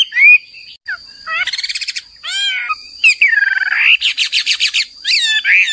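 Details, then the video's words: Hwamei singing in bursts: short slurred whistles, rapid trilled rattles and a long descending-then-rising whistle, separated by brief pauses, over a steady faint high background tone. "MASTERAN HWAMEI WAMBI HOA MI GACOR DAN NGOTOT"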